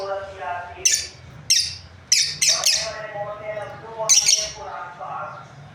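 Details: A breeding pair of lovebirds giving loud shrill chirps at irregular intervals, over softer tonal murmuring sounds and a low background hum.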